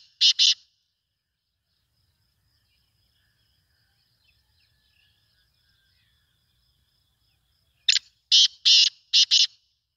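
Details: Black francolin calling: a short burst of harsh, rasping notes at the start, a long quiet gap, then a rapid phrase of five grating, buzzy notes near the end.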